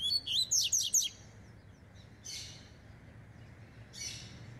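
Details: Double-collared seedeater warming up, opening with a quick burst of sharp, high whistled slurred notes, then quieter brief rushing bursts against low background hum.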